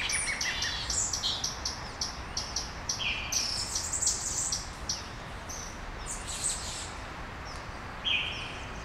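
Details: Brazilian dawn chorus recorded in Brasília: dense, busy high-pitched chirping and twittering from several small birds, with brief whistled phrases and a few louder accented notes, under faint steady background noise.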